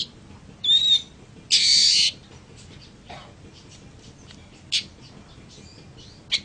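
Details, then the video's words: Long-tailed shrike song meant for tutoring other birds: a brief high whistle, then a loud harsh rasp of about half a second, followed by faint scattered chips and a few sharp notes. "suara burung pentet untuk masteran"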